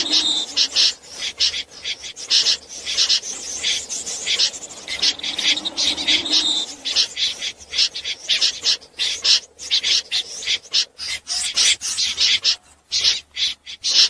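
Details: Common snipe calling at night, played to lure birds into trapping nets. Dense series of scratchy, rasping high notes in irregular bursts, about a hundred a minute, with a faint lower hum in the background.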